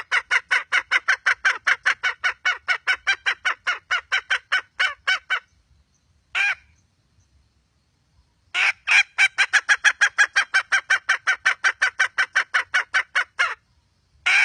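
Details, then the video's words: Red junglefowl hen in a steady series of loud, rasping clucks, nearly three per second, for over five seconds; a lone note follows in a quiet spell, then another long, even clucking run. "Suab poj qaib qus seev zoo"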